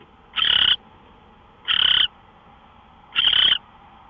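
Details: Owl, 5:27 AM, March 24, 2013: three rough, wheezy screeches of under half a second, repeated about every 1.4 seconds, with a low steady hum in the background.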